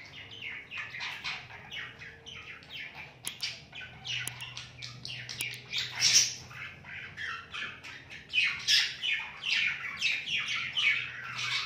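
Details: A budgerigar eating coriander chirps in a fast, busy stream of scratchy warbles and short squawks.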